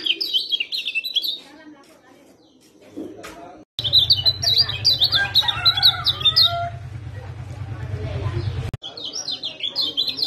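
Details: Lemon-bellied white-eye song played to get a silent bird singing: bright, rapid twittering runs. They stop for about two seconds, then return over a steady low humming drone, with softer descending whistles mixed in.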